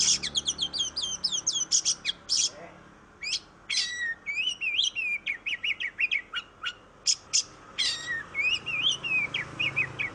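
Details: Oriental magpie-robin in long, varied song used to coax other birds into singing, mixing sharp high whistles, buzzy notes and swooping lower phrases delivered in quick bursts with brief pauses.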